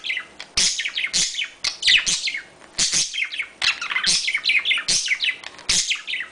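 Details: Courting budgerigars produce a lively mating warble: fast, twittering chirps and squeaky rising notes running almost nonstop, with brief dips between phrases.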